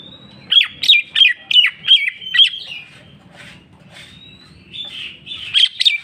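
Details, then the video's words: Greater green leafbird song, locally cucak ijo: a run of six loud, sharp chirps tied by a level whistle, a quieter pause, then a rising whistle and two more chirps. "cucak ijo mewah ful jamtrok bongkar isian"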